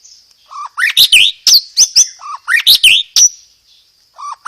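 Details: White-rumped shama singing a loud, clear song with sparrow-like mimicry and 'roll tembak' rolls; rapid series of harsh, emphatic chirps and rasps with low whistled notes between them, about a dozen notes in quick succession.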